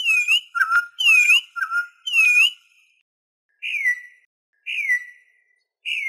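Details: Venezuelan troupial singing, meant for teaching and attracting birds. Loud paired whistles, low then high and arched, repeat for about two and a half seconds. Three separate downslurred whistles follow after short pauses. Background is silent.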